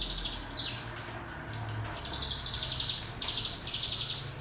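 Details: ['Cigun white-eye lure song for young birds learning ngebrem: repeated short, buzzy, pulsed high trill bursts in quick succession, with soft low background noise.']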